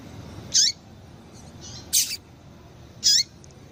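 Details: Female double-collared seedeater calls played to excite males: three sharp, high, down-slurred chips spaced about a second and a quarter apart, with fainter soft notes between them and low background rumble.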